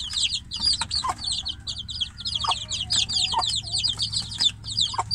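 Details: Domestic chicks held in a cage while the hen stays outside peep insistently, a thick stream of high, descending cheeps from many birds at once, with a low hum in the background.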